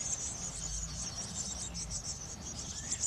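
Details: Blue tits at a garden nest box during brood care; a short stretch of thin, fast, very high chirping continues without pause over low background hum.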